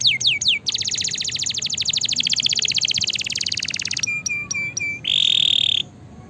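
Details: Canary song meant to stimulate and teach a lazy canary: brief downslurred notes, then a long rapid trill, a few separate clipped notes and a short loud buzzy rattle.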